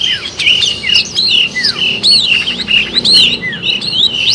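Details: Long-tailed shrike singing gacor style for use as a trapping lure: a steady chain of ringing whistles, many arching up then falling, with occasional steep downward slurs and faint high chirps.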